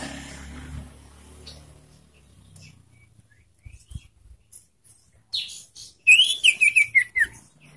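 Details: Young caged sirtu singing, a recording used to coax other sirtu into song: after quiet clicks, a fast burst of high chirping notes that slide gradually downward over about a second.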